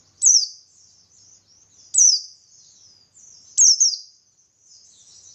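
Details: Buxtoni white-eye in energetic ngalas song, used as a lure so other white-eyes respond; three high sliding, downward-sweeping whistles about every two seconds, joined by faint softer trills.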